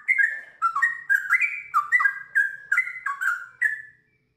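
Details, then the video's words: Sooty-headed bulbul giving a series of short, mellow whistled phrases, each a quick rising or falling slur, repeated about every half second in a lively run before falling silent near the end. "TRUCUKAN GACOR ngiwir lanjut ROPEL PANJANG"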